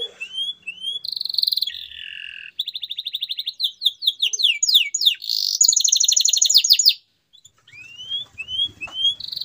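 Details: Canary song for encouraging silent canaries to resume singing: long varied performance of buzzy held notes, rapid trills and quick whistled sweeps, ending after a pause with rising chirps.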